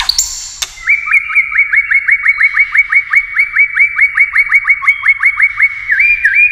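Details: White-rumped shama singing competitively, delivering a long steady run of identical upslurred whistled notes, about four per second, after a brief high squeaky opening.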